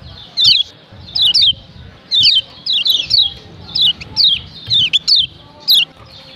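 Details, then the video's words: Female Lombok yellow white-eye uttering the call that excites males: bright, high-pitched falling chirps, some doubled, spaced about a second apart, with a low murmur in the background. "Ciak Ciak Kecial Kuning BETINA Ampuh Bikin Kecial JANTAN RIBUT‼️"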